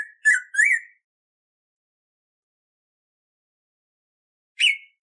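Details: Black-throated grosbeak (Saltator fuliginosus), a fruit- and seed-eating bird of Atlantic Forest, gives three loud, slurred whistles, the last rising, then a pause and a single sharp whistled note; background otherwise silent. Song used for teaching and training.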